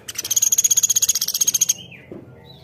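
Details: Lively woodpecker, locally platuk beras, giving a rapid, steady rattle of high clicking notes for about one and a half seconds, followed by a short thin whistled note.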